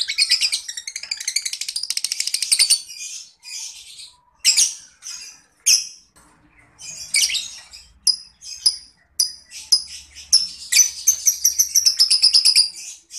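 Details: Master recording of a lovebird, used as a lure and tutor for contest birds: a long, rapid run of high, buzzy chattering notes with sharp squeaky chirps.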